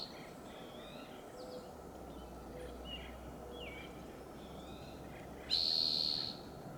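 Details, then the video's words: Red-tailed hawk at a high perch in Del Monte Forest, California, after eating a fox squirrel: faint short chirps and quiet background first, then one loud, sharp, high scream lasting under a second near the end. "Screeching Sound of Red-tailed hawk"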